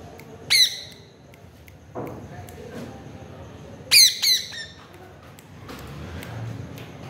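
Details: Parrot chatting with its owner: one sharp grating squawk early, then a close pair of harsh squawks near the fourth second, with a soft thud and faint background murmur between.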